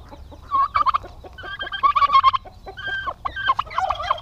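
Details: Male domestic turkeys, described as aggressive, gathered on a farm in Paraná, Brazil, give dense overlapping gobbles and nasal calls in quick succession.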